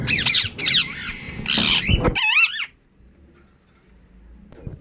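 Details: A few shrill, rasping squawks and a wavering screech from a pet Indian ringneck parrot, then near silence for the final two seconds.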